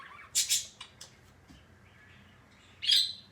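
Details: Pet parrot at home repeating a new sound today: two loud harsh squawks in quick succession, a couple of faint clicks, then after a pause one more bright screechy squawk.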